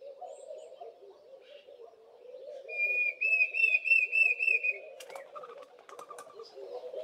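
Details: A Diederik cuckoo gives its loud whistle-like call, a quick series of about seven clear, high, slightly rising notes, with Laughing Doves in the background, over a steady low hum and a few sharp clicks.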